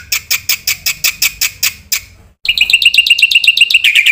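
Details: Busy Black-winged myna song with varied phrases, meant for prompting and tutoring other birds. Harsh, grating notes come about five per second, then after a gap a fast, ringing, even trill.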